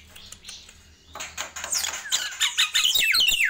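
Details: Nias hill myna singing in the morning: after a quiet first second with low hum, a burst of dense, high chirps and falling whistled notes begins and keeps going to the end.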